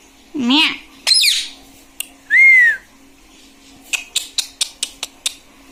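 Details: Pet parrot said to say 'mummy' and 'mitthu' utters two rough wavering squawks, a clean rising-falling whistle, then a run of sharp clicks in a small quiet room.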